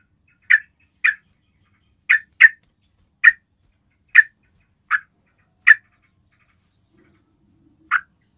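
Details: Yellow-vented bulbul call used to lure other bulbuls into answering: short, sharp single notes repeated at uneven intervals of roughly half a second to two seconds, nine notes in all, against a silent background.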